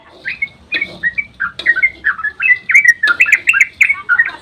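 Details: Dawn song of a sooty-headed bulbul, played to provoke other birds into singing: rapid run of short liquid whistles and chirps, each note bending up or down, with small pauses between bursts and faint clicks behind.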